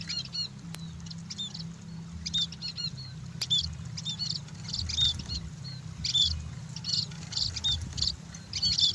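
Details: Sunbathing scaly-breasted munias give sparse high thin tweets and short whistled notes, growing busier toward the end, over a low humming background with a couple of sharp clicks.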